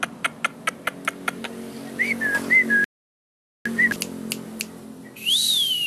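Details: Asian pied starling, nodding as it sings, giving a series of dry ticking clicks followed by short slurred whistles, then a drawn-out arched whistle after a brief silent gap.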